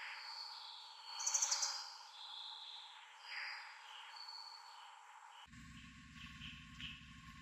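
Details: Asian brown flycatcher, possibly calling for companions, gives a quick burst of five very high, thin ticking notes, then faint wispy high notes, perhaps another bird answering. The background hiss changes abruptly near the end.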